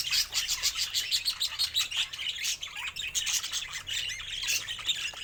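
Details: Several pet budgies in a lively, rapid chatter: bursts of harsh chirps and squawks pulse several times a second, almost without a break.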